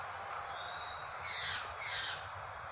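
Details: Drongo with a crow-like voice giving two harsh, rasping, noisy calls about half a second apart, over a constant high hiss of insects.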